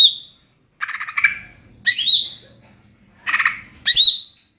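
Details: Greater green leafbird (cucak ijo) in ngeplong style: harsh chattering bursts alternating with loud high whistled downslurred phrases, about one phrase per second.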